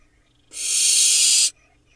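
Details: One loud, even, noisy hiss of about one second from barn owl owlets in an Israeli nest box, Hula Valley, July 2021, with the nestlings preening close to the camera.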